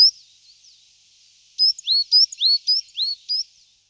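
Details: Coal tit singing a fast series of about seven high, clear two-note phrases, each a sharp upslurred whistle, packed into under two seconds after a near-silent start.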